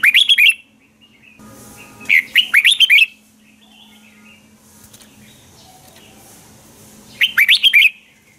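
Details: Red-whiskered bulbul giving a morning contest song that is used as a lure to train other birds. Three bursts of rapid, warbled, whistled notes rise and fall, separated by pauses with a faint low hum.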